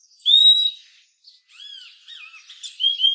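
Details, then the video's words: Purple-throated euphonia calling: a clear high sustained whistle, then short rising and falling whistled notes and a few lower slurred calls, ending with bright high whistles. "Purple-throated euphonia bird"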